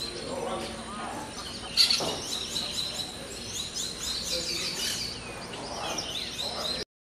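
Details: A Brown-throated Parakeet pair at the lodge site of Hato El Cedral, Venezuela, in the morning, gives a steady stream of short, high, scratchy chirps, with other small birds and quiet human voices murmuring in the background.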